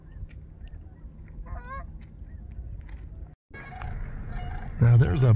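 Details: Snow geese at Bosque del Apache wildlife refuge, New Mexico, gathered on large swamp-like lakes, give a few short, nasal honks over a steady low wind rumble, rising to a louder burst of calling at the end, with a voice nearby.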